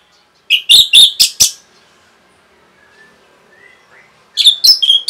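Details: Orange-headed thrush uttering short bursts of rapid chirped notes, a song for exciting other birds into singing. About five sharp notes, then a near-silent stretch with faint thin whistles, then another burst.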